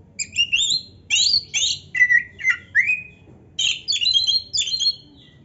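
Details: Black-breasted Oriental magpie-robin singing vigorously with a rich, varied repertoire: bursts of clear, sharp whistled notes in groups, rising and falling slurs between short pauses, and a final cluster of high notes; quiet background hum.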